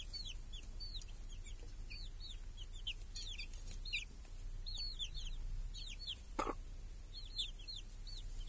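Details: Hen and small chicks foraging beneath a cage in a village on a sunny summer day, chicks hunting flies; clusters of thin, falling peeps keep coming, one loud knock midway, low hum underneath.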